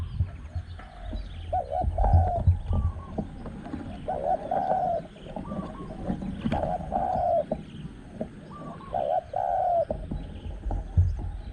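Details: Repeated Spotted Dove cooing during a luring session with a caged decoy bird at spot 14, a wild small-voiced dove nearby. Mellow coo phrases recur every two seconds or so, alongside thin whistles, clicks and low background rumble.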